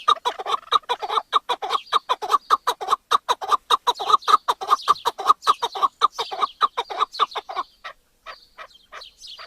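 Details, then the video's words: Long rapid chant of harsh chuk notes from a chukar partridge runs for about seven and a half seconds, then breaks off, leaving a few thin high squeaks afterwards. "Partridge Call | Chukar Sound Effect and Video"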